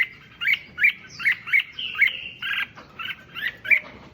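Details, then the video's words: Red-whiskered bulbul song for exciting other bulbuls: loud, lively run of sharp whistled chirps at a brisk pace, about three per second, with a brief buzzy warble midway. "Tiếng Chim Chào Mào Kích Chim Lên Lửa Nhanh"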